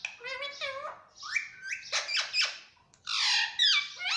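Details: Pet Alexandrine parakeet (pahadi parrot) kept in a room, producing a rapid stream of chattering, whistled and squeaky notes with rising and falling inflections, some almost speech-like, running with barely a pause.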